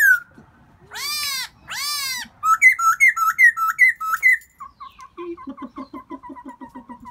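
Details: In spring, a Black-throated laughingthrush calls out for a mate: two long harsh arched notes, a run of bright dipping whistles, then a quick chatter of short repeated notes.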